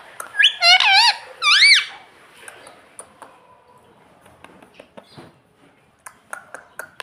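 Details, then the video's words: A pet parrot imitating "mummy" and "papa" gives three quick, bright, rising-and-falling voiced syllables in the first two seconds, then only scattered faint clicks and taps in a quiet room. "parrot talking papa"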